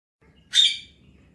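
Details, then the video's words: Pet Alexandrine parakeet, described as a talking bird, enjoying morning time, gives a single harsh, bright squawk lasting a fraction of a second against a quiet indoor background. "talking parrot Mithu enjoying morning time | alexandrine parrot enjoying morning time"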